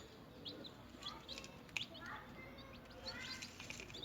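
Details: Newborn, newly hatched chickens feeding and playing. Soft, short, high peeps come in scattered bursts, some sliding downward. The peeps are faint against a steady hiss, with one sharper click near the middle.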